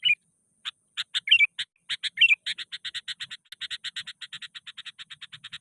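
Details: Sooty-headed bulbul, angry and persistent, challenging a rival, used as a quick-response lure: a few slurred whistled notes, then a long run of harsh, buzzy chattering notes, about five each second.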